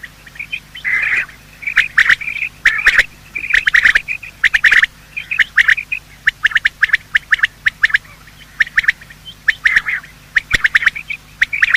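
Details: Morning call of male and female quail, used to draw in birds for hunting: a long series of short chirping notes, some slurred and buzzy, in clusters spaced about a second apart.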